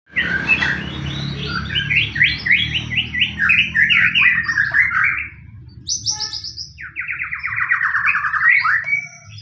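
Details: White-rumped shama lure song in fighting style, used to provoke other shamas to sing: rapid runs of rich whistled and chattering notes, a high pure phrase, then a fast rolling trill; faint low hum underneath.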